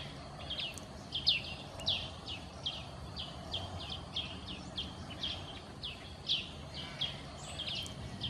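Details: Greater green leafbird (Chloropsis sonnerati) at forest edge bordering Kaeng Krachan National Park, Phetchaburi, Thailand, September 23, 2012: quick, high chirps and short whistled notes about twice a second over a steady background hiss.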